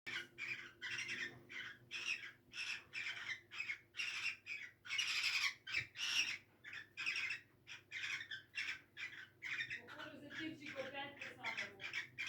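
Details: Cockatiels in spring give harsh, raspy squawks in a rapid series of short bursts, with a softer warbling chatter near the end.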